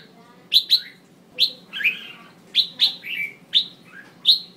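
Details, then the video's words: Female red-whiskered bulbul voice for triggering males to sing: isolated loud chirps sweeping sharply downward, a few doubled, spaced about half a second to a second apart with quieter softer notes between. "Tiếng chào mào mái mới nhất kích trống cực nhạy/kích bổi căng lửa hót sung/kích là hót ngay"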